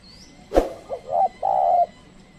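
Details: Decoy spotted dove, a trained lure bird, calling wild doves that stay away. A sharp click comes first, then a brief low note, a short coo, and one long steady croon.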